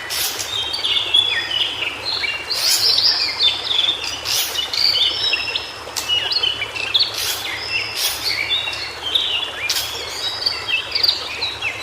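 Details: Cingcoang biru (White-browed shortwing) in natural habitat in Indonesia, giving a lively, continuous high warble of tumbling chirps and slurs, punctuated by occasional sharp clicks, over steady environmental hiss.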